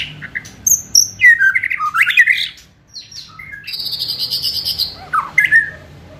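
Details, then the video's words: White-rumped shama giving a fierce, busy kretekan song meant to provoke other birds and speed up their singing: quick slurred whistles, chattering bursts and a long buzzy trill in the middle, with a short pause before the final phrases. "Kretekan Gahar MURAI BATU GACOR ini untuk memancing Emosi dan mempercepat Ngeplong"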